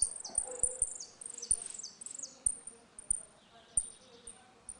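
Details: In a dispute, a saffron finch gives its ringing 'retinido' song, kept for teaching young birds. Opens with a quick series of loud, high, falling notes, then sparse sharp ticks and a soft buzzy trill.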